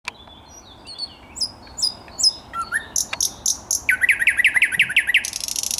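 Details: Thrush nightingale singing on 10 May 2021: a run of sharp, high whistled notes with clicks, then a fast series of rising, rhythmic pulses repeated about eight times, ending in a dense high rattle.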